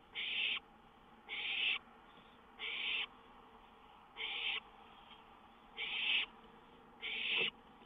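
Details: Owl perched on a lookout at 1:06 AM on 19 May 2013 gives harsh, raspy hissing calls, each about half a second long, repeated roughly every second and a half, six in all.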